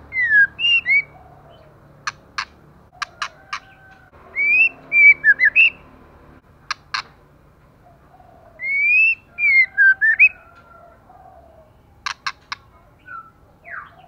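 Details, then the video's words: Female white-rumped shama, heavily moulting and nearly bald, singing intensely: bright whistled phrases that slur up and down around mid-high pitch, alternating with sharp dry clicks in quick bursts of two to four, repeated through the stretch. "LỬA MÁI THAY LÔNG TRỤI LỦI ĐẬP TẠCH LÔNG BAY VUNG VỤ HÓT CỰC XUNG KÍCH LỬA"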